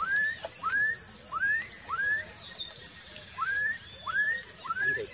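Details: Black-capped donacobius at REGUA Wetland Reserve, dated 5/3/16: a series of loud, rising whistled notes, about seven in five seconds, over a steady high-pitched insect drone.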